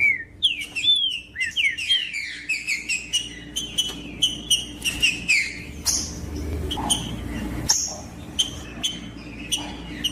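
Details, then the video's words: Green-winged saltator singing in the bush to excite rivals: an opening burst of looping, falling whistles followed by a steady stream of shorter whistled notes. "ESQUENTAR TRINCA FERRO RÁPIDO COM TRINCA FERRO FRIO NO MATO"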